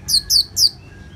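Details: Orange-headed thrush (anis merah) in ngeplong style, used as a therapy recording meant to calm birds and draw replies: three short, high, sharp chirps in quick succession in a quiet setting.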